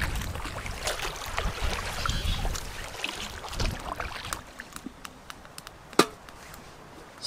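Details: Splashing and chopping sounds from water and wood, with scattered sharp clicks and a louder knock near the end; no animal call is heard.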